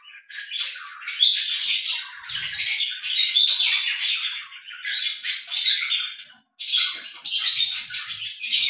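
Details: Lovebirds, a breeding pair, mating; continuous harsh, scratchy squawking chatter, rising and falling in loudness, with one short pause near the end, indoors.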